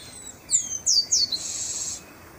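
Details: Chestnut-capped blackbird singing in the wild: three high, clear descending whistled slurs in quick succession, then a half-second dry buzzy trill, over a quiet background.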